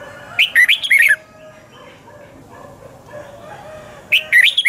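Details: Red-whiskered bulbul, double-twist voice, singing a 2020 morning training song. Two lively phrases of four to five quick, loud, twisting whistled notes, separated by about three seconds of soft background murmur.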